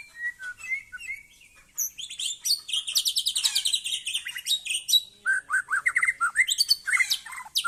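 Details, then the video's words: Aceh white-rumped shama in loud, varied song: a few whistled notes, then a dense, fast rattling burst of high buzzy trills, followed by rapid repeated chattering phrases and sharp whistles, continuing without pause to the end. "Murai Aceh"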